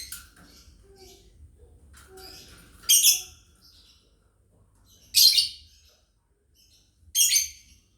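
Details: Lovebirds from a family group chirping, as a master sound for training: three loud harsh high-pitched chirps spaced about two seconds apart, with faint softer twittering between them.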